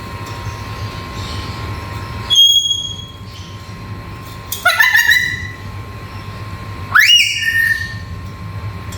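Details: Black-capped lory, described as able to talk, uttering three separate loud calls: a clear high whistle, then a harsh screech sliding down, then a sharply rising squawk that levels off, with a constant low hum in the background.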